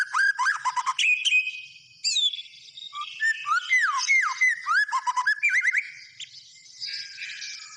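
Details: Varied white-rumped shama song mixing quick clicking notes, looping whistles and sharp downward slurs, delivered in fast bursts with brief pauses, high chattering notes running above.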